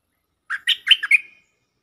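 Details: Caged stripe-throated bulbul in full lure song delivers a short, gurgling five-note phrase that rises and falls, finishing with a thin trailing whistle. Nothing else is heard.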